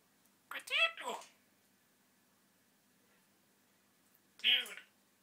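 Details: Pet African grey parrot talking indoors: two short speech-like phrases with voiced, harmonic syllables, the first a quick two-part utterance, the second a brief word after a long quiet pause in a small, quiet room.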